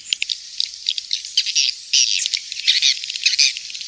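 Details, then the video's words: Swiftlets calling in rapid, irregular high chirps and clicks, rising into longer buzzy twitters in the second half. "Suara Walet King'S Star"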